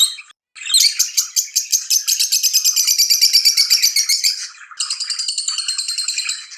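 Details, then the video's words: Excited lovebird chirping tied to mating: fast, rhythmic high-pitched twitters repeated almost three times per second, building into a continuous buzzy chatter, then a short gap before a steadier run of chirps. "أحسن صوت تغريد هائج لتزاوج طيور الحب"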